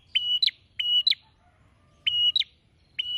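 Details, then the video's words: High, even whistles, each ending in two crisp falling chips, from a prinia singing busily with beak opened wide. Two phrases come close together, then a pause, then two more. A faint low background noise runs throughout. "PRENJAK GACOR BUKA PARUH LEBAR PENUH PESONA"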